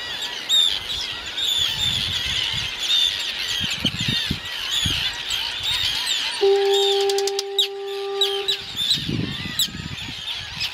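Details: Arctic terns on Matinicus Rock, Maine, fill the air with a dense chorus of harsh, high, grating cries, with a steady low horn-like tone midway and occasional wind thumps.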